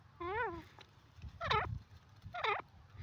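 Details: Francolin (teetar) call: a wavering, smooth harmonic note followed by two rough, strident bursts about a second apart, against steady low background noise.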